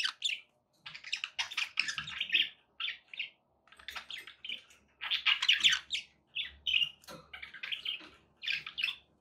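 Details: Pet budgerigars indoors giving rapid bursts of scratchy, warbling chirps in short phrases between brief pauses, a busy chattering flock sound.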